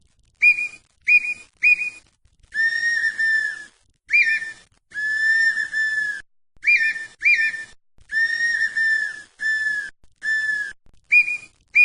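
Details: Red-winged tinamou, known in Brazil as perdiz or perdigão, giving a long run of whistles: short clipped notes mixed with longer level drawn-out tones, several in quick succession with short pauses, clean background.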